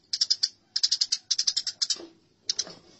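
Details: Eurasian tree sparrow fighting calls from a songbird training recording: quick clipped groups of three to five high, bright chirps, followed by a short buzzy slur and a final pair of notes.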